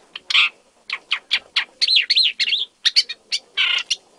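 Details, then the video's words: Isabelline shrike seen on 25 December 2023 in Jiangjun District, Tainan City, Taiwan, a first record for the main island: a varied, scratchy twittering of short chirps mixed with wavering whistled slurs and harsher buzzy notes, closely spaced, with brief pauses. "荒漠伯勞/Isabelline Shrike"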